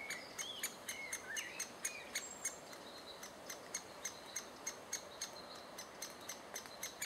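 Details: Great spotted woodpecker recorded in June 2011 while adults were feeding chicks; sharp, dry clicking notes repeat about three times a second, with thin whistles from other birds behind.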